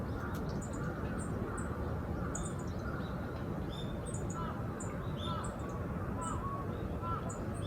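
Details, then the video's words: Yellow-throated bunting, wild, at the former heliport of Osaka Castle Park, Japan: short thin high ticks scattered through the clip, with fainter crow-like calls, other birds and a steady low city rumble. "ミヤマホオジロ Yellow-throated bunting"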